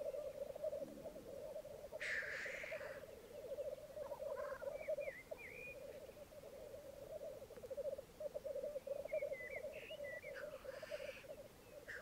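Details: Black grouse lek on a bog at Mykland, Norway, on a May 2022 morning, with 12 males and 2 females: continuous bubbling, cooing chorus broken twice by a harsh hissing sneeze, with occasional high twittering from other birds.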